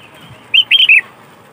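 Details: One short, rich phrase from a lively Sooty-headed bulbul, used as a lure for its kind: four quick, liquid warbled notes in under half a second against a quiet background.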